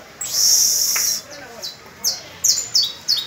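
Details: Young canaries practising their song alongside an adult canary on the first of May: a long, steady, high buzzy roll for about a second, then a few sharp, high, descending chirps in quick succession.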